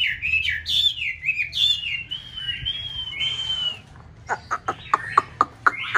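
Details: Chinese hwamei, white form, paired in an aviary kept for conservation in a mountain town during the nest-building season: a long flowing whistled phrase with smooth slides, then a series of short sharp clicks.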